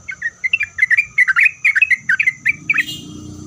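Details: A spirited Sooty-headed bulbul song used to set other bulbuls calling back, with a dense run of quick, warbled, rising and falling notes for nearly three seconds, ending as a low rumbling noise comes in.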